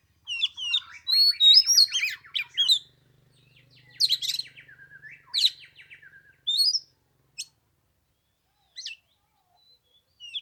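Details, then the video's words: Oriental magpie-robin in 15-degree cold at Tet, pouring out a dense, chattering mix of whistles and rapid rattling notes, then a fading series of isolated sharp high chips. "Chòe than mùng 3 tết cái lạnh 15 độ chơi 1 tiếng chim k xuống đánh"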